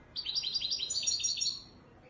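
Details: European goldfinch in the authentic Ouidani Marrakchi singing style from Morocco, delivering one fast, continuous run of bright, liquid twittering notes lasting about a second and a half, high-pitched and tightly repeated.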